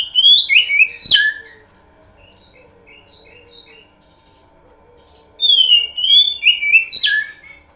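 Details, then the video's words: Oriental magpie-robin lure song: it opens with loud sliding whistles and a sharp note. A quiet gap of soft scattered whistles follows, then a second loud phrase of descending whistles and a sharp accent. "Pancingan burung Kacer"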